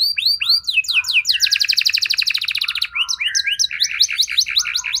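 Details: Canary singing a lure phrase meant to make other canaries reply quickly. Arched, looping whistles lead into a rapid rattling trill, then a mix of short upslurred chirps and varied warbled notes, loud and continuous.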